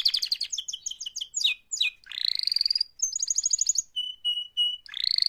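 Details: Singing canary in mating-call mode, opening with rapid descending chirps, then a rising buzzy sweep, a high pulsed trill and three evenly spaced pure whistles, all bright and high-pitched in a clean recording.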